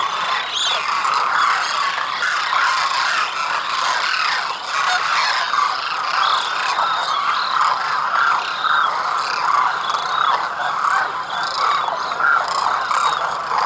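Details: Many migratory demoiselle cranes spending the winter at Khichan village in rural Rajasthan, India, calling together in a dense, unbroken chorus of rolling, trumpeting notes without pauses.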